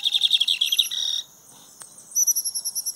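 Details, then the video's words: Lined seedeater singing heavily on an outing: a quick buzzy trill of repeated notes, a short pause, then a run of clear, evenly spaced high whistled notes. "Bigodinho cantando muito no passeio!"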